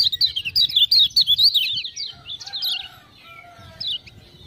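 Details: Lemon-bellied white-eye of Lombok, urged on by ciak-ciak sounds, pours out a loud string of rapid, sliding high chirps for two seconds, then trails off into a few sparse notes.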